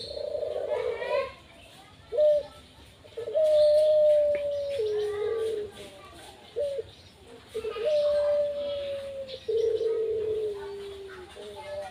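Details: Barbary dove kept as a pet, giving low, smooth, slightly descending coos in several phrases, mixed with children's and adults' voices nearby.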